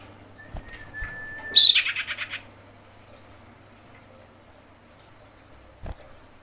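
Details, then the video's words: A female common iora calling the male, giving a long, steady, thin whistle followed at once by a harsh burst breaking into a short run of fading pulsed notes. "suara sirpu betina memanggil jantan"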